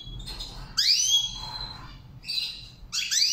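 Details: Goldfinch under training singing in the Saira style, with a short burst of loud rising-then-falling whistled notes, a pause, then two more twittering bursts; faint steady hum beneath.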